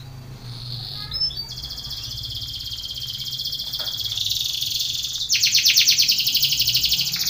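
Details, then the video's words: Belgian canary contest training song: a long even high roll held for several seconds over low background hum, then a louder, faster pulsed trill takes over. "canary training song for contest / canto Canário belga cantando"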